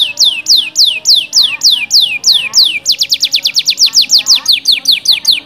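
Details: Canary lure song played to stimulate other canaries to sing, including a canary with kapas tembak filler: loud, clean, descending whistled sweeps about four per second, then a faster trill of similar notes after about three seconds.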